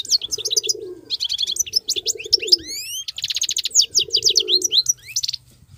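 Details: Wild European goldfinch singing without pause: rapid twittering runs of bright, buzzy notes, with a few clean rising whistles around the middle. A low, soft cooing sound sits underneath in three bursts.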